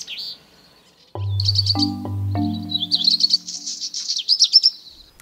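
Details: A Black redstart, a bird of residential areas that sings from roofs and antennas even before dawn, gives a brief high whistled opening. It then gives a scratchy, crackling phrase like tearing paper, over low sustained music tones.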